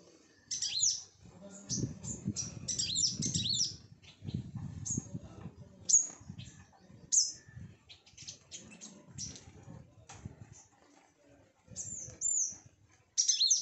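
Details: Sunbirds around a home, calling in quick high-pitched chips and short twittering runs, loudest in an opening burst and then scattered irregularly throughout, over steady low rumbling and rustling.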